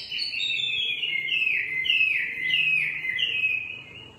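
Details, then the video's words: Singing nightingale producing a series of clear descending whistled slurs, each dropping in pitch, repeated in a loose rhythm for several seconds. "Singing nightingale. amazing bird song"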